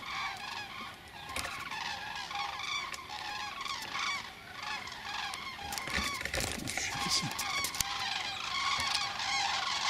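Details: Common cranes migrating overhead at a beehive site on 1 November 2015; many overlapping rolling, trumpeting calls from a flock, with scattered clicks and rustling noise below.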